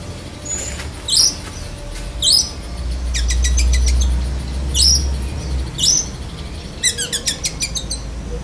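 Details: Black-breasted Oriental magpie-robin singing with lovebird mimicry: sharp rising whistled sweeps about once a second, a burst of rapid ticking notes near the middle, then a quick buzzy trill, over a low steady hum.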